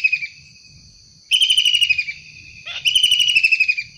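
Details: Wild long-tailed shrike, loud and active, giving harsh, buzzy, rapidly pulsed screeches, two grating bursts that fall slightly in pitch, over a steady high-pitched drone in the background.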